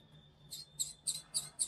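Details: A well-fed pet parrot, which ignores its owner once it has eaten, gives a quick series of thin, high chirps, about four per second.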